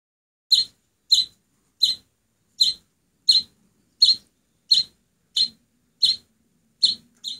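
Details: Rescued oriental greenfinch nestling, taken in nearly naked and now on its seventh day in care, feathers filling in and lively: sharp high chirps repeated steadily, roughly one every 0.6 seconds, against a quiet background.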